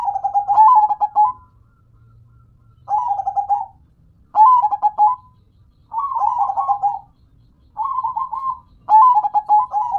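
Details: Zebra dove (local perkutut) singing: six short rippling coo phrases spaced about one to two seconds apart, each a rapid trill of soft notes ending on a slightly lower tone; low background hum.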